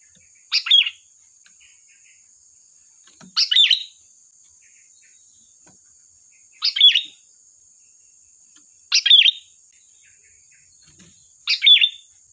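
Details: A sooty-headed bulbul sings energetically for luring other birds, giving five short burbling phrases at intervals of two to three seconds, with a faint steady high-pitched tone in the background.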